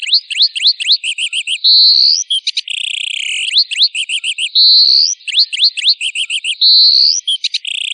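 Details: Long Tail bird song from a master recording for training songbirds: high whistled phrases with rising slurred notes, quick trills, and a long buzzy rising note, the same phrase repeated about every three seconds on a clean background.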